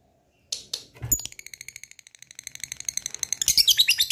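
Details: Lovebird in long ngekek song, played to provoke other lovebirds to sing: a few sharp squeaks, then a rapid, steady, high chattering trill that speeds up and grows louder toward the end.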